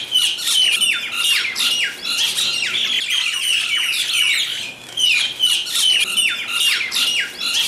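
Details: Mynas squabbling over food: loud grating squawks in bursts, harsh screechy notes tumbling over each other with brief lulls, several birds calling at once.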